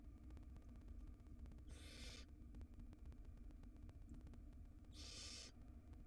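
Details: Two drawn-out, broadband snoring hisses roughly three seconds apart from a tiny wild barn owl nestling in a nest box as it swallows a rodent tail, over a low steady hum.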